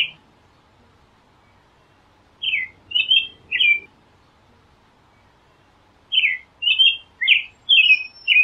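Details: American robin song delivered in two bursts: three whistled, caroling phrases, a pause of about two seconds, then five more slurred phrases in rapid series, roughly two per second, with a faint high thin tone near the end.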